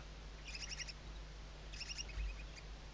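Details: At a 2023-season barn owl nest in the Ebro Delta, Tarragona, Spain, Western barn owl chicks under their mother's wings make two fast trills of high, clicking twitters, with a soft thump and steady low hum.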